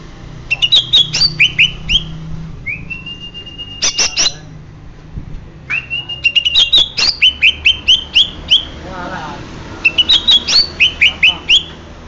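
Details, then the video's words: Song of a greater green leafbird from Banyuwangi, full of energetic, high, chipping notes and quick slurred whistles, broken by a couple of long rising whistles, repeated in dense rhythmic runs over faint background hum. "Ciri ciri cucak hijau banyu wangi asli"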